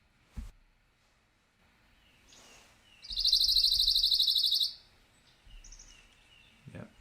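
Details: A Pine Warbler sings one steady, flat, monotone trill of quick identical notes lasting about a second and a half, with faint chips and a few soft knocks around it.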